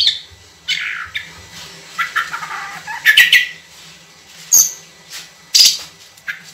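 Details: Oriental magpie-robin singing vigorously in long, clear 'tembakan' style: irregular whistled and scratchy phrases, some bright high notes, over steady background noise and low hum.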